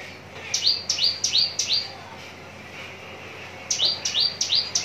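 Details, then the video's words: Javan bush lark singing at Cikupa, Tangerang: a quick run of four sharp, rising upslurred notes, a pause of about two seconds, then another burst of four to five similar bright notes over a faint steady background hum. "branjangan parva joss siap gantang"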